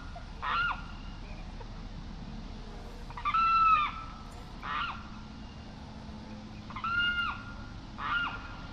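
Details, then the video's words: Limpkin (carrao) song: five loud wailing, harmonic notes with a slurred, bending shape, given singly or in quick pairs at irregular gaps over a low background hiss. "Canto del Carrao"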